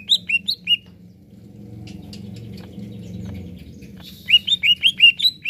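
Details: Greater green leafbird singing energetically to rouse other birds: short bursts of high, clear downslurred whistles open and close the recording, separated by a quieter stretch of low rumbling noise.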